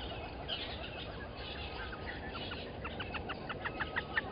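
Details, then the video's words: Red-billed hornbill calling at 17:35 on 15 September 2020 at the Gowrie dam waterhole, Djuma Game Reserve, Sabi Sand Wildtuin, South Africa: a run of hollow clucking notes that quickens and grows louder toward the end, over a steady chorus of distant birds. "Red-billed Hornbill calling"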